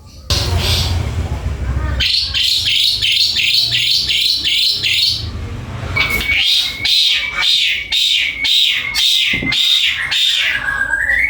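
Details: Black-collared starling delivering repeated rasping, scratchy phrases in regular bursts, ending in a harsh downward-slurred note, with steady low background noise.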